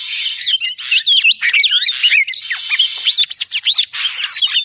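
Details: Oriental magpie-robin lure call used for trapping birds: a dense, fast run of varied whistled notes with sharp rising and falling sweeps and short chirps, some harsh hissy rasps layered underneath, continuous throughout.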